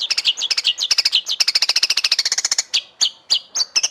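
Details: Murai batu, the white-rumped shama, in a masteran training song: a steady run of fast bright whistled notes that speeds into a dense chatter, then slows to separate sharp, slurred notes.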